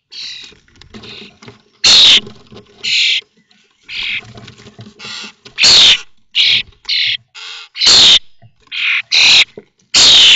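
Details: Common starling brood of five at Théding on 19 May 2024, three weeks old and leaving the nest; dense run of harsh scratchy screeches and shorter buzzy notes, loud and uneven, some bursts carrying a squealing tone.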